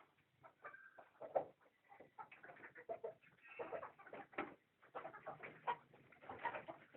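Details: Country chickens clucking and chattering together, with overlapping short notes and a few drawn-out, grating calls in a busy, continuous stream.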